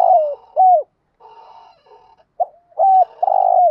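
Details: A spotted dove's stimulating coos, used to get other doves calling. Falling coos open, a softer harmonic murmur follows, then a short note, a level coo and a long vibrating coo.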